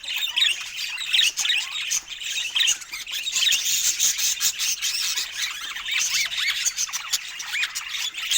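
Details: Several rare budgerigars in natural Scandinavian light chatter in bursts of looping, squeaky chirps and harsher squawks, with loudness rising and falling every second or so and clicking in between.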